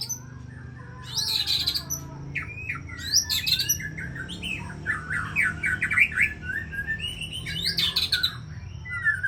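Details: Aceh White-rumped shama from champion breeding stock delivering a varied song of sharp chirps, squawky notes and high bursts, with fast up-and-down phrases over a steady low hum indoors.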